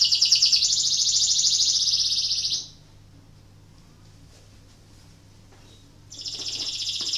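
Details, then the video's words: A canary in breeding condition, used as a lure to stimulate other canaries to sing, delivers a loud, dense run of rapid high trills and rolls for nearly three seconds, falls silent, then resumes trilling. "PANCINGAN KENARI BIRAHI , AMPUH MERANGSANG KENARI IKUT BUNYI"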